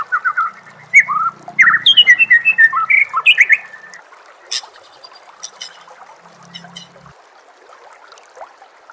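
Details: White-rumped shama singing over a backdrop of nature sounds and gurgling water: a loud, fast, varied phrase of rich whistles, slurred rising and falling notes and harsher squawky elements lasts about four seconds, then gives way to soft scattered notes and background chorus.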